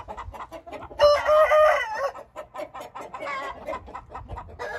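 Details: Aseel (Indian) rooster giving a brief, raspy crow of about one second with a clear harmonic tone, surrounded by busy, repeated clucks and clicks from a group of chickens.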